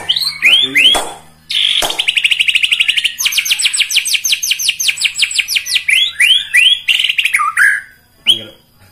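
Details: White-rumped shama song full of rapid bursts, played to make rival birds angry: rising whistled notes, then a long fast rattling trill of repeated high strokes, closing with downslurred whistles and a single sharp note.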